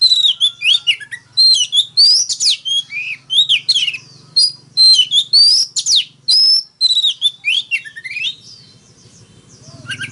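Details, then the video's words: Oriental magpie-robin fighting song: a fast, continuous outpouring of high whistles, slurs and chips, with a faint low hum beneath. The song thins out toward the end. "Tiếng than mồi hót đấu"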